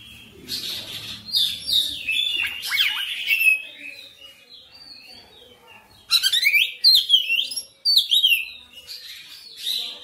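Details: Oriental magpie-robin in persistent song, displaying its varied repertoire: jumbled chirps and slurred whistles, a quieter stretch, then a loud burst of sharp, rapidly modulated notes.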